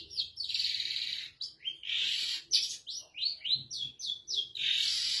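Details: Long-tailed shrike, a caged training recording made as its cover is lifted, pours out a dense, varied string of buzzy slurred notes and harsh bursts with barely a pause between phrases.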